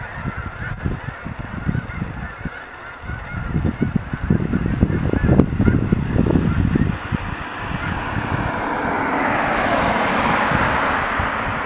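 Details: Hundreds of snow geese coming in to land at dusk in far southeast Dallas County; a dense, overlapping chorus of honking calls in rapid bursts, with low rumble throughout and a rising broadband rush of noise over the final seconds.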